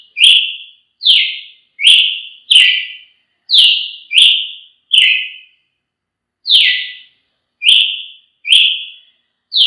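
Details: Brazilian tanager delivering a fast run of ringing, down-slurred whistles, a pause, then more notes in the same rhythm, with no background noise.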